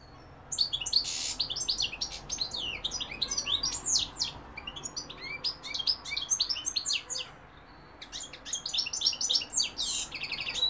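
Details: European goldfinch singing, recorded 2021, linked to London and Algeria: rapid twittering phrases of high buzzy notes and quick rising and falling chirps in two long bursts separated by a short pause.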